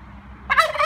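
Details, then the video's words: Turkey living at a farm animal sanctuary bursts into a loud, quick, rattling gobble after a quiet moment. "A Turkey Gobble"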